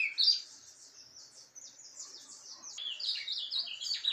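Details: Ultramarine grosbeak in surdina subsong, recorded 10 January 2023. A soft, high, thin twittering murmur opens after one brief louder note, then builds into clearer quick chirps and slurred notes near the end.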